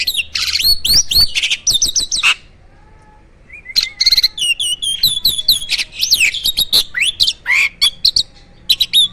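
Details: Captive jalak starling from a bird farm singing vigorously in full isian style: bursts of high looping whistles and sharp chirps, a short pause, then renewed rapid varied phrases with buzzy notes.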